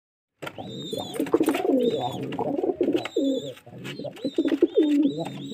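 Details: Pigeons cooing in low, throaty, pulsing bursts that overlap one another, with a thin high whistled tone sounding again and again above them.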